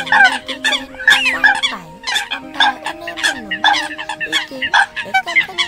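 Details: Eurasian coots calling on a track used to lure birds for catching, October 2020: a busy chorus of short, harsh, harmonic notes from many birds, with sliding low tonal lines below.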